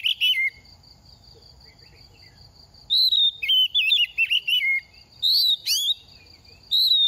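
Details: Oriental magpie-robin shedding feathers, two seasons old: a brief whistle, a long quiet gap, then a busy string of wavering whistles and chirps with a sharp rising note, over a steady high tone.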